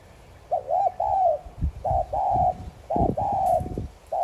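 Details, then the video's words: Spotted dove coos, played to lure other doves, given in rapid phrases of a quick double coo and a longer held coo, overlapped by low thumping and knocking noises between and under the calls. "Chim cu gáy THÚC GÙ Sát Bổi kích bổi nhanh nổi.Cu gáy THÚC GÙ CỰC VÍP kích bổi gáy ngay.cu đất gáy"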